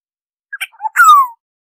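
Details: An oriole offered for bird survey use gives a few short clipped notes, then one drawn-out nasal note sliding smoothly downward, with no other sounds.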